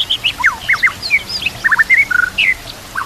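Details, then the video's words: White-rumped shama song meant for training fighter birds: a short burst of mixed whistled slurs, sharp chips and a brief trill, fast and varied, over faint background hiss. "murai batu gacor full isian"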